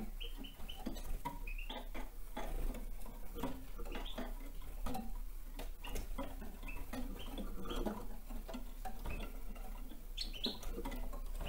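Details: A young male red crossbill gives short, sharp, high chirps at irregular intervals while working cones, over steady crackling and snapping of cones and a low background rumble.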